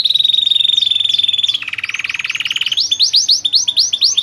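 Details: Loper canary, a tireless singer, with beautiful phrasing. A steady high trill with overlaid swoops drops into a lower rattling roll. Loud, repeated arching whistles follow, about four per second.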